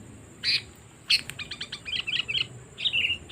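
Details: Lure calling of a sooty-headed bulbul meant to draw in wild birds: a loud, rapid run of bright, clipped chirps and twittering notes, tumbling quickly one after another.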